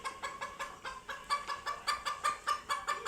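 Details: Domestic chickens screaming in fright after seeing cats for the first time: loud, harsh, nasal squawks repeated in a rapid, uneven series, several every second, each a short rough burst.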